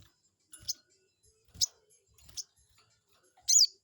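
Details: Crested jay lure meant to make a rival respond: three softer high chips about a second apart, then one loud, shrill, sweeping call at the end.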